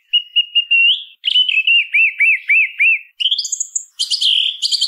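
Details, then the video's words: Song thrush song: level whistles in a quick row, then an arched slurred note repeated five times, followed by high thin notes and a scratchy twitter. "SONIDO de ZORZAL COMÚN CANTANDO"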